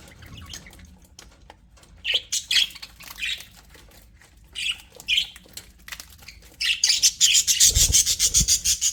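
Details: Happy aviary budgerigars giving short scattered chirps, then a sustained fast chattering warble of rapid high squeaky notes toward the end, with a soft low thud near the close.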